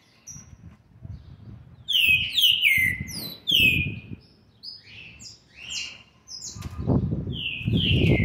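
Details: Green-winged saltator youngster aged seven months and twenty days giving loud clear whistles that slide downward, bunched in a burst around two to four seconds, then scattered higher notes and a final descending phrase; low background rumble throughout.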